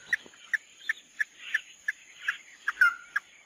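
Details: Mắt đỏ (red-eye) bird giving evenly spaced short, sharp notes about every third of a second, with one longer downslurred whistle near the end.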